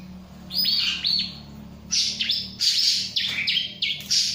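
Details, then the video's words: A bar-winged prinia, unfazed by a nearby myna, sings shrill, high squeaky phrases with falling whistles, growing louder and denser toward the end over a soft low hum. "Burung CIBLEK ga stress sama jalak"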